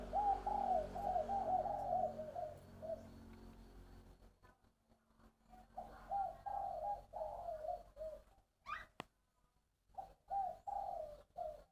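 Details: Spotted dove from Long An, Vietnam, giving its three-part cooing song: low hoarse rolling coo phrases repeated several times with pauses, a brief sharp sound between them, and a word spoken after.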